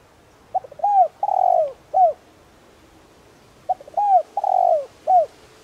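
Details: Spotted dove kept as a decoy to stir other doves into cooing, repeating its phrase twice: small lead-in notes, a curved coo, a long burring coo and a closing short coo, each phrase about three seconds apart.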